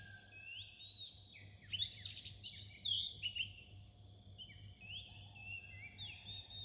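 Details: Near dawn, an Oriental magpie-robin sings: soft whistles build into a burst of bright, rapid warbling and sweeping notes, then ease into spaced rising whistles, with a quiet low hum throughout.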